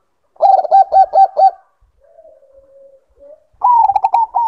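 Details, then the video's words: Zebra dove, Bangkok type, in breeding condition, delivering five quick staccato coos, then a soft low level murmur, then a higher, faster burst of rolling notes. "Naikan Birahi Perkutut Bangkok"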